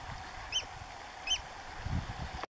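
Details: Eurasian oystercatcher on the Rybachy Peninsula giving two sharp, high, piping 'kleep' notes about three-quarters of a second apart, over a low rumble of wind or distant traffic.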